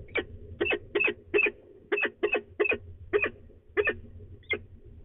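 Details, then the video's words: Female peregrine falcon at a nest site in De Mortel, Netherlands, grumbling before leaving, recorded 24 March 2020 in the morning: short harsh double-noted chups repeated about twice per second in an uneven series, with low hum behind. "Mopperende V en vertrekt"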